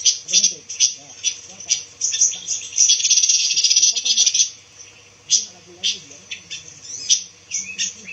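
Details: Pancawarna songbird, said to be getting rare and good for filling white-rumped shama song: piercing, high twitters building into a long fast buzzing trill, then scattered sharp notes, with low murmured talk throughout.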